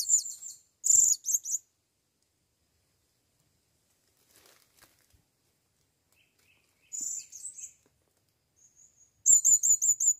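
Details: Blue-crowned hanging parrot calling for a female on its first visit to the forest: sharp bursts of high-pitched chatter, long quiet gaps, and a closing series of five quick, evenly spaced squeaky notes.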